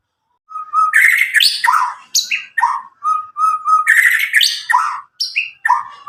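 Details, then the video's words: White-rumped shama from Medan, about nine months old, kept caged and untutored by recordings, singing a loud clear song used to stimulate young birds: level whistled trills broken by harsh downslurred chips, phrases following quickly. "murai batu Medan gacor walau lepas trotol cocok untuk pancingan murai batu macet"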